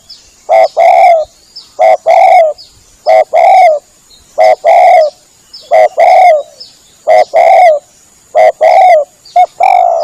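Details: Lure recording of a spotted dove, played when hunting to attract birds: rhythmic phrases of two short coos followed by a longer rolling coo, repeated steadily about every second and a half against a quiet background.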